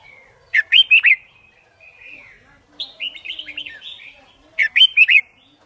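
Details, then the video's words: Red-whiskered bulbul singing for competition training: a loud burst of liquid, chirpy whistles, a longer wavering warbled phrase, then another matching burst, each about half a second long. "Chào Mào Hót Đấu"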